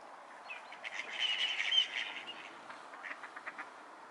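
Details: Mallards during a courtship display: a burst of short, hoarse, rasping duck notes with a few thin whistles, densest in the first two seconds, then quieter scattered calls against a steady background hiss.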